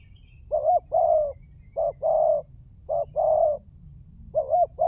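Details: Low, soft hoots from a spotted dove used as a lure, paired notes with the second longer and steadier, repeated about once a second over faint low hum.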